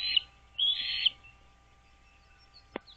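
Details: Wild American bald eagles at a nest on Dale Hollow Lake, a 30,000-acre reservoir on the Kentucky-Tennessee state line, recorded by nest camera 09.04.2023 at 08:29: two high, thin whistled notes, then a click, over a faint steady hum.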